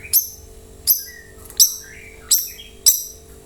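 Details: White-rumped shama sounds used to draw replies from other birds: five sharp high clicking chips about every half second to second, with soft whistled notes in between.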